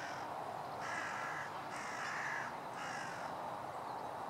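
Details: Several crows in conflict with a Northern Goshawk, closing in on it, 2016-04-04: four rasping caws, each about half a second long, evenly spaced with short gaps against a constant hiss.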